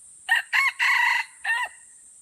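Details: Red junglefowl crowing during a crowing battle at Kuta Malaka in Aceh, Indonesia: a four-part crow made of two clipped opening notes, a drawn-out loud middle note and a short falling finish, over continuous high-pitched insect buzz.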